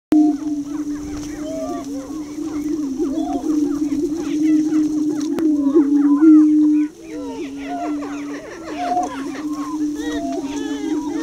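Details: Displaying greater prairie-chickens, including a young subdominant male at the lek's edge, Tympanuchus Wildlife Management Area near Crookston, Minnesota: a near-continuous low, hollow, moaning boom with sharp cackles and whooping yelps from several birds overlapping above it.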